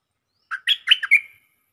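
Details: A single phrase of stripe-throated bulbul lure song: five rapid, liquid notes that climb and dip, the final one stretched into a fading slur. The background is clean.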